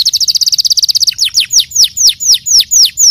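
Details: Canary song: a fast trill of about twenty short high notes in one second, then a slower series of downslurred whistled notes repeated roughly every quarter second, loud and clear.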